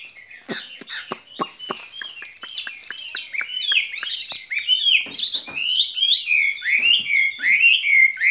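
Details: Skylark kept in a cage gives its spring love song, a rapid, varied warbling of sweeping and twisting high notes. Sharp clicks are scattered through the first half.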